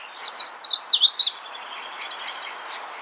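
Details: Magnolia warbler (Setophaga magnolia) singing in the wild: a brief, sweet phrase of about eight quick, slurred high notes in just over a second, followed by a faint, steady high-pitched hum.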